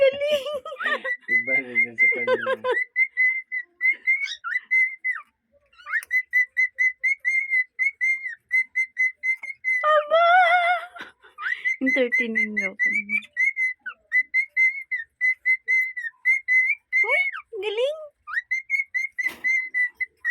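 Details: Cockatiel (Nymphicus hollandicus), whistled song.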